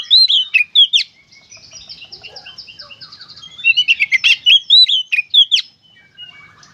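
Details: Oriental magpie-robin singing gacor konslet style to get other magpie-robins singing: an opening flurry of sharp whistles, a softer stretch of fine twittering, then a loud run of rapid chirps and slurred whistles.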